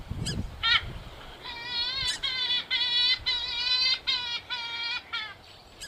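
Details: Purple swamphen call used as a hunting lure: a run of nasal, harmonic honking notes, each about half a second long, repeated in quick succession with short gaps, after a few sharp clicks at the start.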